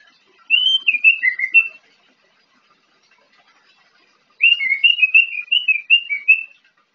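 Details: In the morning an orange-headed thrush sings two bursts of rich, warbled whistles separated by a pause of a few seconds, each burst made of quick varied notes, with nothing else audible.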